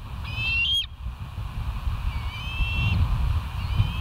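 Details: Bald eagles at the West End nest, caught by a live nature cam on the morning of 09/06/2023; one clear high whistled trill, then two fainter drawn-out whistles, with constant low rumbling background noise.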